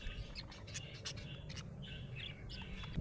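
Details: Happy budgerigar giving quick chirps and short warbled notes, fairly faint, scattered through the clip over a constant low background hum.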